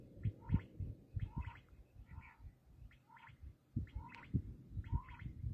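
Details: Repeated rasping, gargling notes of a black francolin (kala teetar), each phrase about half a second apart, against steady low booming background noise.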